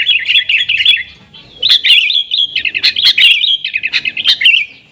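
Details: Nggaruda-style song of a sooty-headed bulbul, a lure for wild bulbuls, in lively rolling warbled phrases of liquid whistles, each burst lasting about a second with short gaps.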